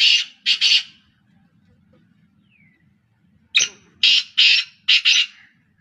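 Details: Three black francolins in non-stop calling, giving loud rasping notes in rapid bursts, a pair of grating notes then after a pause a faster run of four or five harsh notes, low hum beneath.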